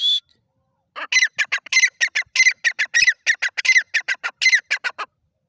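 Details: Grey francolin bursting into a rapid, uneven chatter of harsh squawky notes, about twenty in four seconds, after a brief opening whistle.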